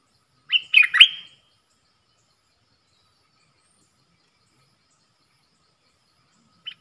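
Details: Caged bulbul, ดอกแตง song type, singing against wild birds on 3 October 2021: one brief burst of three rich whistled notes, then long silence broken by one faint distant note.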